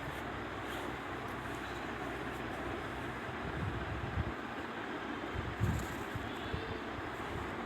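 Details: Steady broadband rumble like passing traffic or a train, with low engine drone and a few brief louder bumps, and no animal calls heard.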